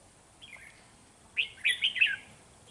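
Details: Trapping decoy red-whiskered bulbul singing to provoke rival birds, 13 November 2018: a soft note, a pause, then a loud, rapid, lilting whistled phrase of four or five linked notes against a quiet background.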